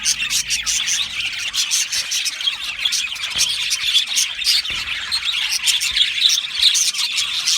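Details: Dense high chirping and warbling from a budgerigar colony kept in an aviary, bursts of twittering overlapping without a break.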